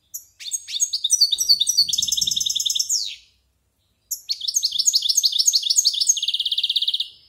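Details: Goldfinch roughly one year old, a silvestrismo bird rehearsing a good, varied song: two bursts of fast liquid twitters running into long, even, rattling trills, separated by about a second of silence.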